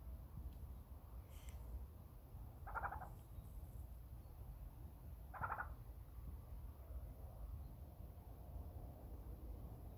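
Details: A male Burrowing Owl (Athene cunicularia) chirps at the recordist: two short, husky chirps about two and a half seconds apart, over a steady low background rumble.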